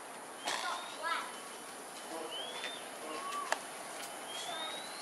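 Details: A pair of Pink-necked Green Pigeons foraging in Singapore on 4 December 2022 at 5.18 pm; thin rising whistles sound at intervals over a steady hiss, with a sharp click near the middle.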